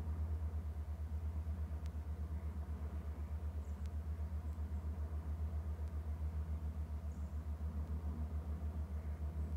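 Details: On 9 March 2018, an idling engine throbs in a low, steady pulse, several beats a second, with faint clicks now and then.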